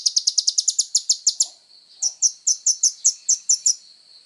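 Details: Kolibri ninja (Van Hasselt's sunbird) singing actively as songbird training material: a fast series of high, sharp ticking notes, then a brief pause and a slower run of thin, bright chirps about every quarter second.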